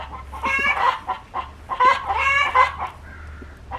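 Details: Backyard chickens in a composting pen, turning their own and rabbit manure, cluck in short, nasal bursts, several notes strung together roughly every second, over a faint low hum.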